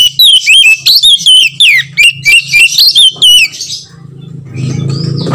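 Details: White-rumped shama lure call for stirring other shamas to sing: quick run of loud fluty whistles and sharp chips for three seconds, then fading into a steady low hum.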